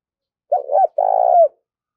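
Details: Single cooing phrase from a spotted dove used as a decoy to lure wild doves: a wavering two-part coo, then a sustained, rough-textured coo sliding down at its close, with silence around it.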